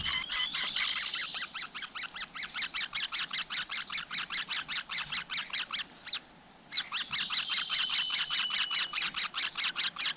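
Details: Chicks and adult flowerpeckers at a nest in the wild: a long, steady stream of high, rasping chirps, roughly two or three each second, with one short silent gap before the chatter starts again.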